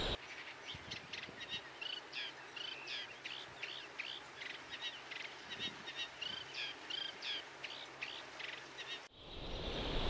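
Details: Eurasian Reed Warbler singing from a reed bed, a somewhat whiny, not very loud song that carries far: a steady chattering run of grating notes in twos and threes over a low hum, ending in wind noise.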